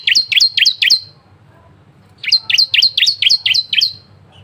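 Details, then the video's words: Bar-winged prinia, varied song meant as a lure to prompt other prinias to sing: loud, clear, high chirping notes, four in a quick row, a short break, then eight more delivered rapidly and evenly. "CISEM GACOR,SUARA VARIASI ‼️ UNTUK PANCINGAN ciblek lain cepat bunyi"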